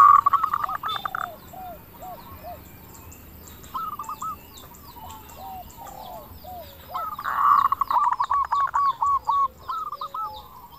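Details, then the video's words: Zebra dove, a local bird with a crystal-toned voice, used to provoke other doves into answering; bursts of trilled cooing with many soft hooked notes between, giving a busy, overlapping chorus over steady background hiss. "PERKUTUT LOKAL GACOR SUARA KRISTAL - Pancingan perkutut bikin cepat nyaut"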